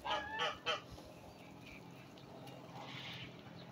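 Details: A male turkey, a breeding bird strutting in display and showing off, gives three quick, loud, rattling bursts, then falls quiet against a low background hum.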